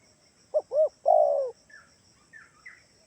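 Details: Spotted dove cooing as a lure to draw replies from other doves: two quick rounded notes and a drawn-out descending coo. Faint higher chirps from another bird follow.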